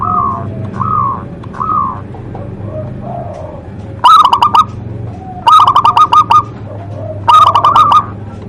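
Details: Local zebra dove singing with a big voice: a few soft coos, then three loud bursts of quick stuttering coo notes, each burst lasting about a second, with gaps of quiet between.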